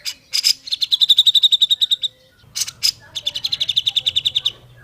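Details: Original, clear grey-cheeked bulbul song used as a tutor recording to get other grey-cheeked bulbuls singing sooner: fast trills of even, high notes, each preceded by harsh buzzy bursts, in two runs about two seconds long.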